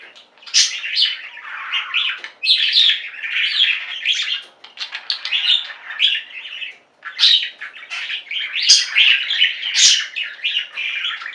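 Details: A flock of pet budgies singing together: continuous scratchy warbling and chirping, broken by two short quiet gaps, with sharp clicks and squeaks scattered through the chatter.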